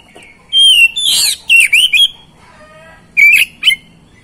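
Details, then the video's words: Oriental magpie-robin song played to provoke silent magpie-robins into singing: loud, rich whistled phrases with scratchy slurred notes, given in two bursts separated by a quiet pause. "PANCINGAN ATASI KACER MACET MALAS BUNYI"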